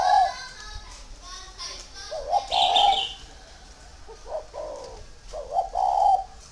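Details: Spotted dove, a big tame bird in Ba Vì, Vietnam, giving repeated harsh mid-pitched coo phrases. A bright high chirp from another bird is heard in the middle.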